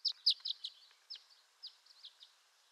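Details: Violet-green swallow of western North America: a few bright, high chirps at the start, then spaced, softer twittering notes fading out over the remaining seconds.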